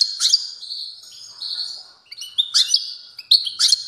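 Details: European goldfinch in strong song: high, bright twittering with sustained buzzy tones and sharp liquid chirps, given in three loud bursts over about four seconds against a quiet background.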